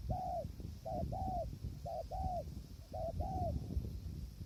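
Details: Spotted dove cooing at a trapping site with a tent snare in strong wind. Three phrases, each a short coo followed by a longer arched coo, with heavy low wind noise throughout.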